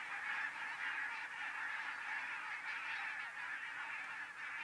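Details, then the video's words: Huge migrating flock of Arctic barnacle geese resting in central Finland, outside their usual route: countless short, barking honks merging into a steady, busy clamour with no pauses. "Thousands of Migrating Arctic Barnacle Geese"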